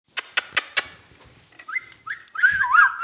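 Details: Ringneck parrot talking: four sharp clicks or taps open the clip, then a run of warbling, wavering whistled phrases that rise and fall quickly, growing louder toward the end.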